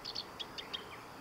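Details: Black-browed reed warbler singing at the Kita-Fuji training area on 23 July 2021: a quick run of five or six thin, high chipping notes about a fifth of a second apart, over faint background hiss.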